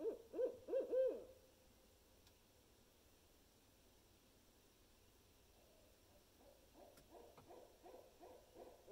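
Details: Barred owl (Strix varia) giving the seldom-heard "monkey laugh" call: a loud burst of four quick, throaty cackling hoots, then a fainter rhythmic run of laughing hoots several seconds later.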